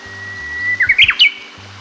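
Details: Japanese bush warbler (Horornis diphone) singing in hilly country in northern Harima, Hyogo, Japan: a long, steady whistled note, then a quick burst of higher, jumping notes ending in a sharp flourish. This is an unusual variant, not only the usual hoo-hokekyo.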